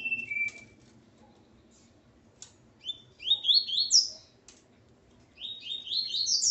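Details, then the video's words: Male Double-collared Seedeater near his female: a short low whistle, a few clicks, then bursts of sharp ascending chirps rising to very high notes, repeated after a pause of about a second and a half. "Coleiro Ponto 50 e sua Fêmea Calibre 40."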